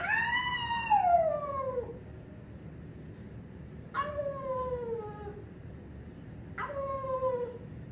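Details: Captive parrot calling in a laughing manner: a long wavering cry that bends down over nearly two seconds, followed by two shorter descending harmonic cries at roughly three-second intervals, with low hum in the room.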